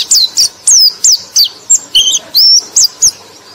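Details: Song of a white-eye (pleci), used to prompt sluggish white-eyes: loud, clear, high whistled notes, some sliding down and some arching, spaced about three per second with short gaps.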